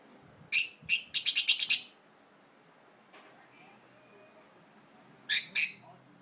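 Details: Budgerigar kept as a pet, set in an unfamiliar spot and uneasy, gives a rapid run of high, scratchy chirps, two spaced then six quick ones, followed by silence and a closing pair of harsh notes.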